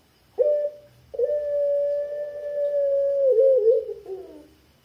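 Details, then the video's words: Barbary dove (puter pelung) with a thick-voiced long 'kwook' coo, played as a lure for other doves: a short note, a brief pause, then a steady drawn-out hum lasting about three seconds that wavers and sinks at the end. "puter pelung suara tebal kwook panjang 100% ampuh buat pancingan puter pelung anda"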